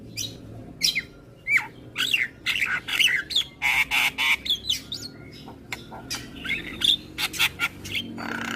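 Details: Morning song of a Javan pied starling, answered by neighbours' starlings; squawking rasps alternate with bent whistles and sharp clicks in a dense, uneven sequence.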